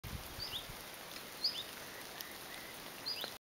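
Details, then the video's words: Common chiffchaff of the eastern abietinus form gives short, high, upslurred 'hweet' calls about once every second or two over steady hiss; Pyhäranta, SW Finland, 9 May 2009. "PhyCol kutsuääni"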